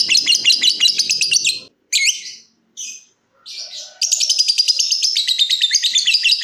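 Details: Caged lovebird in bursts of ngekek trilling: fast, buzzy, high chatter for over a second, short harsh fragments separated by silence, then a long renewed rattling trill to the end; faint low hum beneath the first burst.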